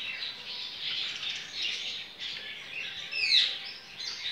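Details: Caged double-collared seedeater of the Bahian style, recorded 23 November 2019 at a licensed breeding facility in Brazil, singing a fast, dense stream of high twittering notes with a brief rising flourish near the end; faint background hiss.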